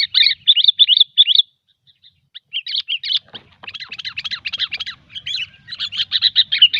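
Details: Sooty-headed bulbul gecor song, for luring: long runs of rapid, busy chirping twitter, broken by a short pause, then resuming in dense chattering bursts.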